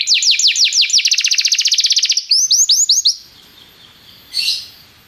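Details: Canary singing as a tutor for a young canary: looping downward sweeps speed into a rapid trill, then a few louder swept notes; quiet room noise and a brief soft rustle follow.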